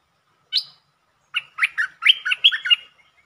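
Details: Lure streak-eared bulbul recorded 13 February 2023, known for many song styles including long and doubled songs; a single sharp high note, a short gap, then a fast run of warbled, chirping notes rising and falling.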